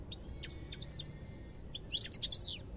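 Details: European goldfinch: a few separate high chirps, then a brief, loud burst of bright twittering notes near the end, over faint low noise.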